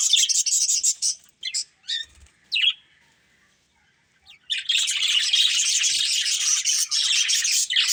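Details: Chirping budgerigars from a breeding pair: a burst of high scratchy warbling, then a few short separate chirps and a near-silent pause, before dense chattering resumes and carries to the end.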